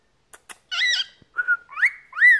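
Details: A 14-year-old male cockatiel kept as a pet makes two sharp clicks and a harsh warbled note, then three clear upslurred whistles, while its owner coaxes it to call again.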